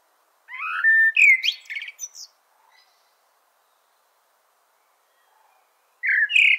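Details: Blackbird singing a loud, rising whistled phrase with buzzy high flourishes, then a long silence and another bright phrase starting at the end.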